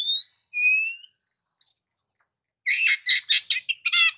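An Oriental magpie-robin gives sweet, slurred whistles that rise and fall. After a brief pause comes a quick burst of five or six scratchy, chattering notes.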